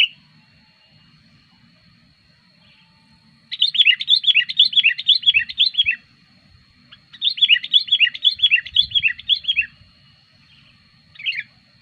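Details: Sooty-headed bulbul lure recording, said to call hard when wild bulbuls approach: two long bursts of rapid, chattering, repeated notes, each lasting about two and a half seconds, separated by quiet, with a brief final burst and a steady thin whine.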